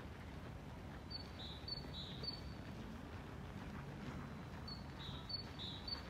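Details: Great tit singing on an empty town square, Stora torget in Sundsvall, Sweden, on 11 February 2024: bright, high two-note phrases repeated in quick runs, like a squeaky see-saw, over a low rumble of town traffic.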